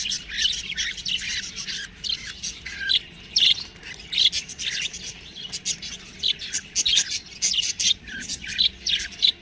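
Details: Young budgerigars chattering: quick, scratchy chirps run together, with a few sharper, clearer high notes standing out now and then.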